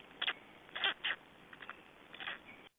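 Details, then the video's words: Nest feeding of black storks in Estonia on 21 May 2012. A few loud, harsh, breathy squawks cluster early, then softer rasping notes follow before the sound cuts off. "Estonian Black Storks - Feedings-1"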